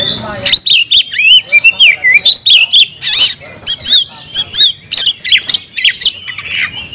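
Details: Oriental magpie-robin kept as a cage bird in full song: rich sequence of clear whistles, rising and falling slurs and scratchy notes, rapidly repeated with brief gaps, loud and close.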